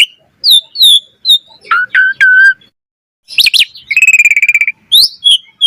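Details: Asian pied starling singing a rich full song meant as master material for training starlings: clear whistled notes, a rapid trilled rattle, sliding tones and short harsh squawks separated by brief pauses.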